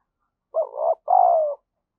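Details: Spotted dove kept as a lure bird, cooing to draw in and excite wild doves. A single deep phrase: a rising stuttered first part, then a sustained coo that slowly drops in pitch. No other sounds.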